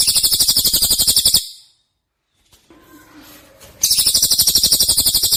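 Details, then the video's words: White-rumped shama (murai batu) 'tembakan' fill-in for songbird masters: a fast, shrill pulsed trill, a pause with soft low rustling, then the same rapid trill again. "Isian tembakan burung murai batu"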